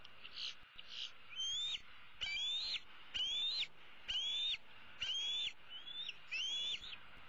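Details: Eaglet of the bald eagle, an older female chick, begging parents for food from a tree roost on 15 April 2016: clear, loud, high whistles, each rising then flattening, delivered about once a second in a steady series.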